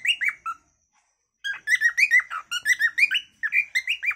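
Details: Natural calling song of a cockatiel: three short whistled notes, a silence of about a second, then a quick, regular series of bright, bending whistles with strong overtones.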